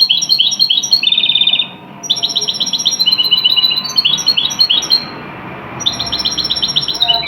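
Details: European goldfinch performing an original Tunisian singing style meant for song tutoring: quick runs of high, tinkling chirps and a fast rattling trill, broken by brief gaps, with faint talking behind.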